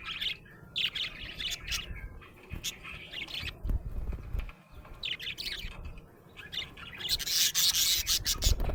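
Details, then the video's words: Happy budgerigar chattering in quick scratchy bursts over several seconds, mixed with clicks and knocks, ending in a loud hissing rush of noise. "Happy budgie chirping sound"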